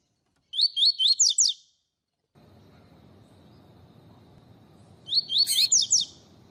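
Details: Double-collared seedeater repeating its tui tui song, used to warm up and train other seedeaters. Two identical high phrases of five slurred notes come a few seconds apart, with a low steady hiss between them.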